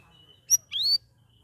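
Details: Captive straw-headed bulbul (cucak rawis), in its second week after time in a shared group cage, singing vigorously (gacor): a short sharp note, then a loud, clear, rising whistled phrase over a faint low hum.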